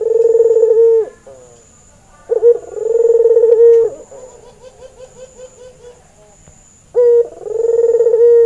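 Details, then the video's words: White albino male Barbary dove with red eyes, in breeding condition, used as a lure for training. Low, even coos with a short sharp opening note, then a long rolling tone. A softer, broken warbling passage comes in the middle. "Burung Puter Putih Mata Merah‼️ ,Pancingan Masteran Burung Puter Bahan"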